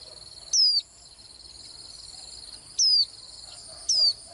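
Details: Three sharp, high, thin notes from a Swinhoe's white-eye, each a brief downward-slurred whistle, the last two closer together. A steady buzzing chorus of insects fills the background.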